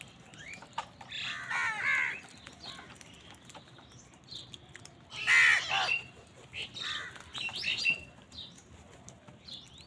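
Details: Angry crows contest food with wild birds: bursts of coarse, grating caws in clustered pairs and triples, one loud harsh outburst midway, and scattered high chirps from smaller birds behind.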